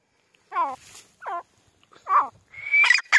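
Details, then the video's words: Four quick, harmonic francolin notes from a grey francolin (teetar), the last running into a bright, strained, higher phrase with a sharp whistle. "Grey francolin teetar ki awaz francolin call"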